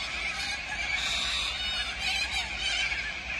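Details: Huge gathering of corellas at Tocumwal on the Murray, producing a dense unbroken wall of harsh screeching calls from many birds at once, with no pauses.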